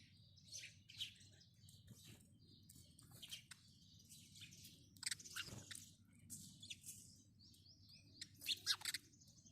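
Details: House sparrow chirping: short, bright, scattered chirps in irregular bursts, with a steady low rumbling background noise throughout.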